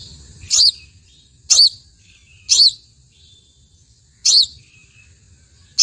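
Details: House sparrow calling with a series of five sharp, high chirps, roughly one a second but unevenly spaced, each brief and harsh, over a quiet background.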